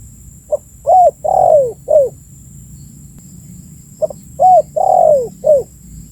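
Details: Spotted dove calling to lure other birds, repeating its four-note phrase twice about three seconds apart. Each phrase has a brief soft note, a level coo, a long descending coo and a short drooping end note. Light hum in the background.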